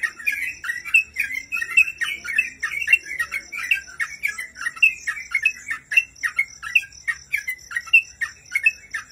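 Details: Training master of a Sooty-headed bulbul for cage birds: long run of chattering, bubbling phrases punctuated by clear whistled notes, steady and unbroken across the stretch, with a persistent thin electronic whine above.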